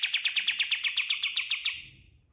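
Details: Kapas tembak, a white-eye, singing vigorously as a master recording for training other birds: a steady, rapid trill of about fifteen bright buzzy notes over under two seconds, then fading to faint background hum.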